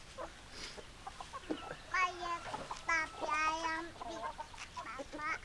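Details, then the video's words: Hens clucking among roosters: scattered short clucks, then a run of drawn-out, nasal squawking calls in the middle and more brief clucks toward the end, with a faint hiss behind. "Chicken Sounds Noises Hens Clucking Roosters Crowing"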